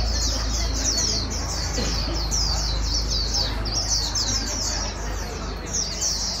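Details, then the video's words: Being trained to warble fast, a white-eye pours out quick, high, squeaky twitters, repeated several times per second, with a low hum in the background. "Kích chim vành khuyên bổi mau líu"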